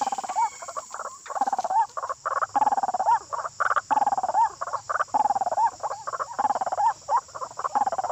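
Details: White-breasted waterhen calling agitatedly: harsh, croaking notes repeated rapidly in a dense, jerky chorus with short upward inflections, under a constant high electronic whine.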